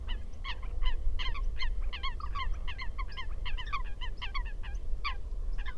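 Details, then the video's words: Eurasian coots give short, nasal, honking calls, several a second and overlapping as if from a group, over a steady low rumble. "Vogelstimmen: Das Blässhuhn"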